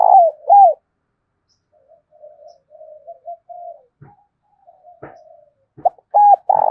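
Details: Spotted dove of the 'thổ sấm' voice style, urging rivals to fight: loud falling coo notes at the start, soft murmured coos in the middle, then loud coos again.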